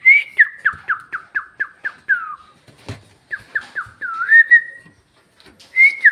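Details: Bhojpuri-speaking pet parrot uttering a quick run of about nine short, falling whistled syllables, a pause, then more slurred whistles and a long rising, wavering note.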